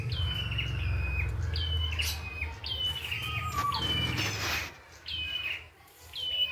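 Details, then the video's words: Red-headed prinia in the wild, giving lively repeated song phrases: a high whistle stepping down through short descending notes, one phrase after another. A lower falling whistle and a heavy low rumble sound underneath. "PRENJAK KEPALA MERAH GOCOR FULL ISIAN"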